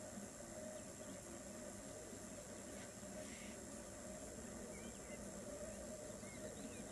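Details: Black grouse at a lek in May 2015, Västra Götaland, Sweden: a low, continuous bubbling rookoo with a brief hissing sneeze partway through and faint higher chirps behind.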